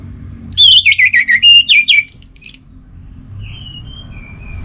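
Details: Orange-headed thrush (anis merah) kept as a cage bird in North Bali, Singaraja, singing a relaxed song: a rapid burst of wavering, slurred whistled notes dropping and rising, then thinner high whistles, over a low room hum.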